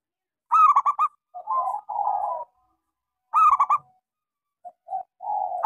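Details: Local zebra dove song meant to prompt quiet doves into singing: a loud quick series of bright cooing notes followed by a lower drawn-out purring coo, then a second bout with soft short notes and another rolling coo.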